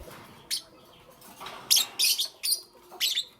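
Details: Lovebirds chirping in the morning, five or six short, piercing high chirps spaced roughly half a second apart over a faint background hiss.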